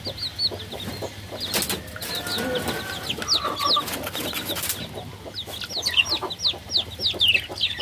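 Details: Baby chickens chirping in scattered high peeps, with loud broadband scratching and shuffling sounds through the middle of the recording.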